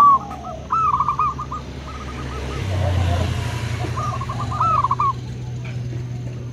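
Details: Zebra doves, local and crossbred birds calling back and forth: quick bursts of clipped, trilling coos open and close the recording, with a quieter middle stretch of low rumble and faint voices.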